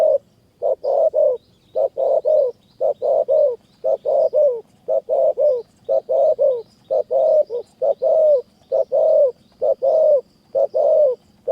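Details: Spotted doves calling during decoy trapping in high forest near Kanchanaburi, Thailand. Rapid, closely spaced low double coos follow almost without pause, up to twenty phrases, over a low steady hum.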